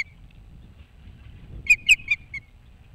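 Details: Osprey at its boat house nest across from Maine's Hog Island, uttering four clear, piercing whistled chirps, each slightly falling, spaced about a fifth of a second apart over soft low rumble.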